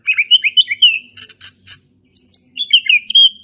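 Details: Male orange-headed thrush in ngeplong song, used to get a silent thrush singing: mid-high warbled notes, a burst of harsh high chatter, then rising whistles after a short pause.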